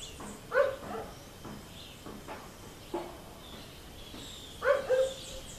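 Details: Red-breasted (green-billed) toucan visiting a rufous hornero's nest in a garden gives two loud, hoarse croaking notes about four seconds apart, with softer croaks between, over a steady hiss of insects and distant birds.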